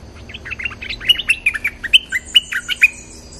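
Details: Bulbul call for luring wild birds, with energetic warbling notes stacked in rapid succession, each a short bright slur, roughly one burst per second, plus a faint steady high tone in the background.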